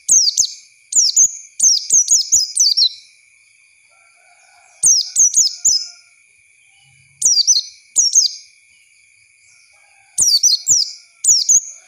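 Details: Lure song of an Oriental white-eye for young birds to learn from: bursts of high, twittering descending notes repeated every few seconds with short silent gaps, a faint steady whine underneath throughout.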